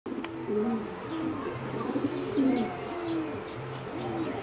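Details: Competition singing zebra dove, a bred line selected from a wild mutation, whose melodious song differs from wild birds; low soft cooing notes rising and falling in repeated rolling phrases, with faint background hiss.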